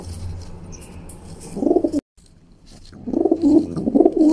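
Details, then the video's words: Young female pigeon, a pet that pecks and fights the owner's hand, cooing in low, throaty burbling runs, a first phrase then a longer rolling series after a brief silence, with faint low background hum. "Young Female Pigeon Fighting Pecking and Cooing"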